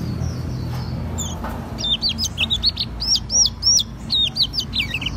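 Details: Oriental white-eye of the Auri type in ngriwik song with fill-in phrases: after a quiet start, a lively run of high, hooked, whistled chirps in quick clusters, with a faint low hum behind.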